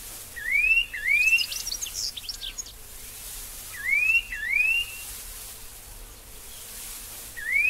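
Restless Flycatcher giving pairs of clear, upslurred whistles, each pair a few seconds apart, with soft scratchy notes and a faint low hum behind.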